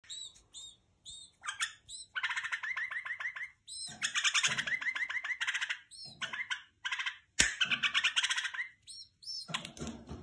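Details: Tame pet white-eared bulbul singing dense bursts of chattering, bubbly notes in quick runs, broken by short pauses, bright and fairly loud throughout.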